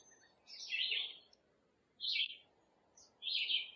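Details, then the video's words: A wild Red-eyed Vireo, a northern-forest songster that keeps singing into late August, sings three short, high, slurred phrases of about half a second each, with pauses of roughly a second, over a faint low rumble. "red-eyed vireos are a common fixture of most northern forests mainly because of their omnipresent song"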